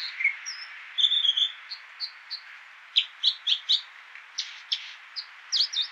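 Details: Water ouzel, the American dipper, sings rapid sharp high notes and short buzzy phrases in irregular bursts, several notes stacked quickly together, over a faint continuous road-noise hiss.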